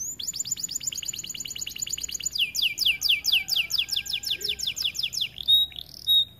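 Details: White AF canary, a kept cage bird, singing: fast rattling trills of high downward-sliding notes repeated many times per second, switching to slower broad sweeping notes, ending with two brief sharp chirps.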